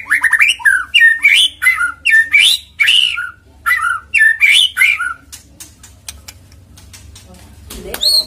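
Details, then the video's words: White-rumped shama song played as a lure to make a bird sing quickly: repeated loud, rich warbled phrases in rapid succession, then a quieter stretch of faint clicks and one last high note. "PANCINGAN MURAI BATU AGAR GACOR CEPAT BUNYI"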